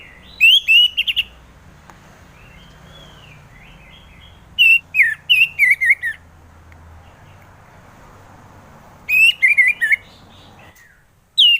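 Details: Orange-headed thrush song played as a lure to get sluggish birds singing: three bursts of rich, fast whistled phrases, warbling up and down with quick twisting notes, separated by pauses of several seconds over a low background hum.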